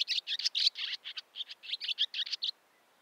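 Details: Barn swallow giving a quick series of about fifteen short, clipped twittering notes over two and a half seconds, then silence.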